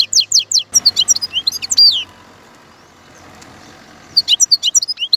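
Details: European goldfinch giving quick high twittering and slurred notes, pausing for about two seconds of soft background hiss, then resuming its bright chatter.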